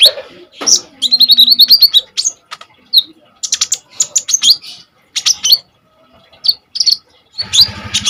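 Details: Common iora in lively full song with fierce bursts, meant as a tutor for kolibri ninja birds; a fast rattling run of high ticks, then scattered sharp chirps and whistles, with a low burst at the end.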